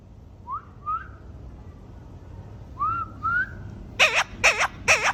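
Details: Pet green ringneck parrot that talks; several short rising whistled notes, then three loud harsh squawks in quick succession.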